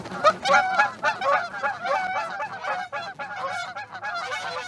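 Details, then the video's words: Geese arriving in a field near an osprey roost, Charlo, Montana, morning of 1 February 2018; dense chorus of nasal honks from many birds, strongest at the start, then a steady overlapping clamour with a faint low hum beneath. "Geese Gathering near Charlo Osprey Roost"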